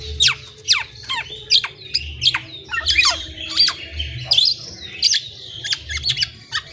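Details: Black-naped oriole singing: a busy run of sharp, steeply falling chirps and squeaky, twisting notes, several each second, with a low pulsing hum underneath throughout.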